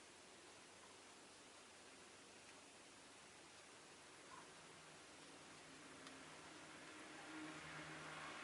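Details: Steady quiet hiss of background noise fills the whole stretch, with no calls or other distinct sounds.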